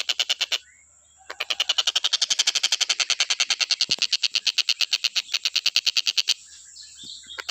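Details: Stork-billed kingfisher in continuous calling, intended for training other birds to sing: quick bursts of harsh, rattling pulses build into a long steady run, ending abruptly with a few softer sounds.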